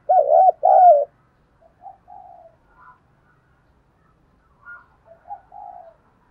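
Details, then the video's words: Spotted dove with a fine voice, used to spur decoy doves into calling: opens with two loud, bouncing coo notes back to back, then a scatter of soft, short coos and a quiet drawn-out coo. "chim cu gáy kích bổi nhanh nổi mỗi ngày, giọng hay"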